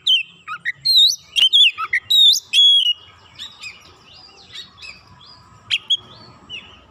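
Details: Lively Oriental magpie-robin song meant to draw other magpie-robins into singing: a dense burst of loud, ringing whistles and quick slurred notes for three seconds, then softer twitters over a faint steady hum.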